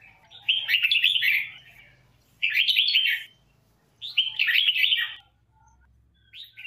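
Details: Red-whiskered bulbul singing in song training: three loud warbled phrases of rich, slurred whistled notes about two seconds apart, separated by short silences, with a faint low hum beneath.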